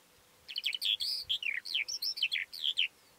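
A calandra lark pours out a fast, jumbled run of bright chirps, trills and slurred whistles, mostly high-pitched, with a few buzzy notes and no other sounds.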